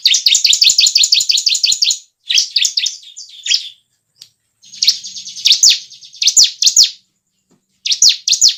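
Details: Lure sound of bar-winged prinia: rapid rolling trill of high doubled notes, brief bursts of chatter with gaps, and several sharp downslurred chips near the end.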